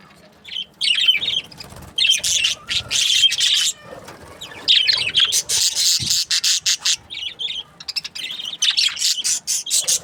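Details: Budgerigars from breeding pairs keep up a continuous, busy warble of raspy chirps and squeaky notes. Clusters of chatter are broken by brief gaps, with one soft low knock near the middle.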